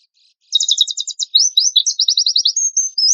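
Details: A 'tembakan kasar' rough lure song from a lively Oriental white-eye: silence, then a buzzy rattled trill, a quick series of high chirps, and a final drawn-out thin whistle.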